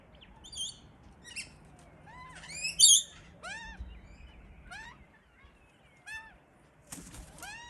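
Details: Two hungry Australian magpie chicks, hidden in a tree while their parents feed them, crying loudly for food: harsh, harmonic squawks that arch up and down in pitch, repeated roughly every half second to second, with a few sharper, louder bursts.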